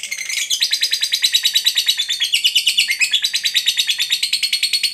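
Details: Fighter lovebird in a long ngekek, played to make a mute, lazy lovebird react: an unbroken run of rapid, piercing buzzy notes with a brief upward sweep at the start and small pitch steps along the way.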